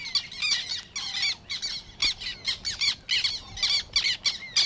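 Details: Black terns in the Matsalu reed beds give sharp, harsh, high kik and kyeh notes in quick, irregular bursts, with several birds apparently calling over one another.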